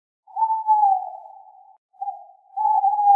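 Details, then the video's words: A Tawny owl gives a long, gently falling hoot, then after a brief pause a shorter note that runs into a further sustained hoot. "Alaca Baykuş / Tawny Owl / Strix Aluco"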